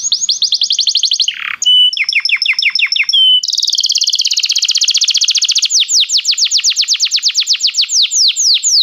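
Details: Belgian canary singing a warm-up song: fast trains of high, sharp repeated notes, a brief buzzy burst near the middle, then long rapid rolling trills of descending slurred notes that carry to the end.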